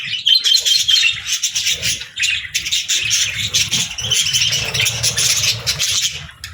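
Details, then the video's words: Parakeet chirping from budgies, natural sounds played to comfort lonely pet birds: a steady stream of high, scratchy twitters and squeaks, busy and overlapping with no break, a faint low rumble underneath. "Parakeets Chirping for Lonely Birds | Relaxing & Happy Budgie Sounds"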